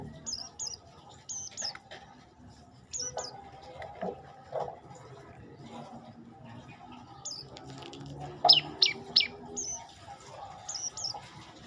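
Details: Olive-backed tailorbird giving high, thin chirps in pairs spread through the recording, then a louder burst of four quick sharp notes, over faint low background noise.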